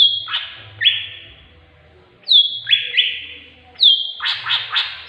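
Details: Greater green leafbird with tengkek buto mimicry in its song, played to encourage other birds to sing: strong descending whistles merging into rasping trills, then a hurried run of loud chattering notes.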